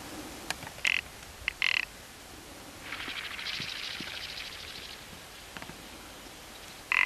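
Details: Rock ptarmigan giving short, harsh rattling croaks in separate bursts, with a soft hissing rush in between.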